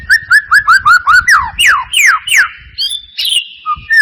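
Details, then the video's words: White-rumped shama song played as a lure for a reluctant singer: a quick run of seven short repeated whistled notes, then three loud falling whistles and a few higher varied phrases. "Pancingan murai batu mancet bunyi ‼️ pancingan murai batu males bunyi‼️respon cepat"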